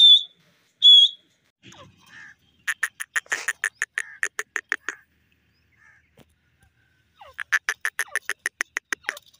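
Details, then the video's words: Teetar, or francolin, calling in loud, harsh, rapidly pulsed bursts: two clear high whistles first, then a rattling series of evenly spaced clipped notes, a pause, and another fast pulsing series, with little other background sound. "lovely Teetar birds voice ,sweet teetar ki awaz"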